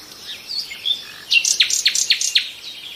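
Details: Nightingale singing: a few soft high notes, then a rapid run of about six sharp descending whistled strokes, each repeated roughly every quarter second.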